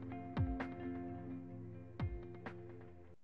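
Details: Music with steady sustained tones and two sharp percussive hits; no animal sounds are heard.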